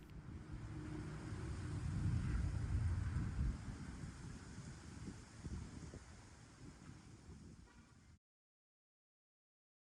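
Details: Low rumbling vehicle noise with wind buffeting swells and fades over eight seconds, then silence; no animal calls stand out.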